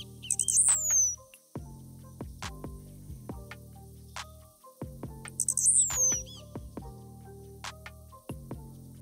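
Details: A Blue-black Grassquit in open grassland in Morelos, Mexico, sings from an exposed perch, giving its very high song twice, about five seconds apart: three quick pulsed notes sliding into a longer descending buzz, over soft background music.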